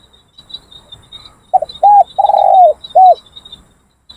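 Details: A trained male spotted dove in a training session, in a cage set inside a decoy trap, on a windy rainy-season day with no wild doves responding: a soft, hollow four-note coo, short then drawn out, over a steady high insect buzz.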